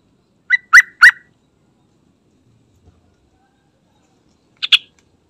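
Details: Sooty-headed bulbul lure song for prompting trucukan to sing: three loud slurred notes in quick succession, a long quiet stretch, then a softer pair of higher notes.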